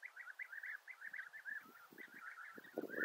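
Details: European bee-eaters (Merops apiaster) give a continuous stream of liquid, rolling 'prruip' calls at mid pitch, several per second, with low thumps and rustling toward the end.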